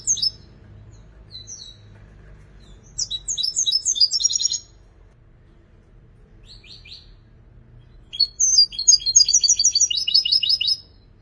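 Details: European goldfinch singing in two spells separated by quiet: scattered high chirps leading into fast twittering trills, a few buzzy notes during the pause, then a long chattering, tinkling phrase.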